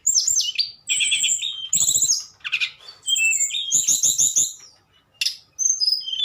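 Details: Tledekan giving flute-like nyuling song: high whistles, trilled runs and fast downward-slurred notes, broken by a clear pause near the end before more whistling.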